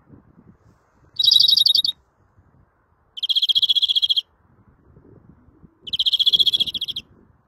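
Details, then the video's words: Three rapid rattled trills from a greenfinch, each lasting about a second and spaced roughly two seconds apart, over a faint low hum. "El Mejor Verderon del Mundo 2020"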